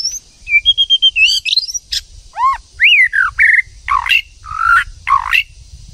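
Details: Female white-rumped shama urging a male into song: a varied, loud sequence of clear whistles, arched slurs and rough squeaky notes, delivered in close, lively bursts.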